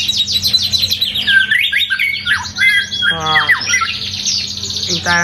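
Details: Piercing, ear-splitting song of a white-rumped shama in its first moult season: dense high twittering runs break into harsh, buzzy, rasping stretches and rapid stuttering notes, over a steady low hum.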